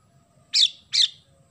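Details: Oriental magpie-robin in vigorous song with house sparrow phrases worked in: two short, harsh, sparrow-like chirps about half a second apart, then quiet with a faint low hum.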